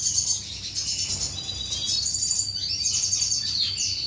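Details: Aviary finches engaged in courtship, recorded May 2015: dense high chirping and twittering with steady thin whistles, pausing briefly mid-way before resuming.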